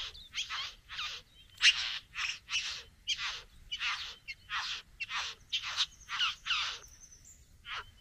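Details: Satin Bowerbird courting a female at the bower: a fast run of harsh, rasping bursts, about two each second, with a thin high whistle briefly near the end.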